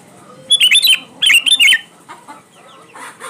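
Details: Sooty-headed bulbul singing energetically as a lure for reluctant singers: two loud, bubbling, rapidly stuttered phrases in quick succession, followed by quieter chirps from other birds.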